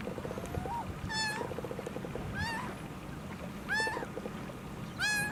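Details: Wild laughing gull in the United States, missing one leg, calling continuously; drawn-out nasal mewing cries, four in the span, irregularly spaced, with soft lower chatter and a constant low hum behind.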